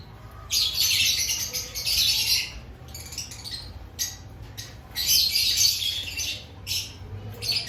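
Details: Lovebirds kept in an aviary ahead of the breeding season; grating squawks come in two main long bursts with scattered shorter chirps between them.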